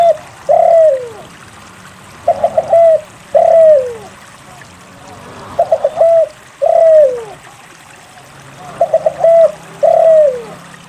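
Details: Persistent spotted dove song played to coax silent doves into singing: about five phrases, each a quick run of three or four clipped coos and then a drawn-out falling coo, repeated every two seconds or so.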